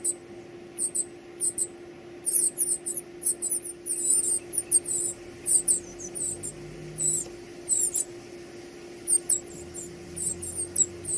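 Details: Fed chicks break into an excited burst of high, harsh squeaking that swells and fades over several seconds, then scattered single chirps, with a constant low hum underneath.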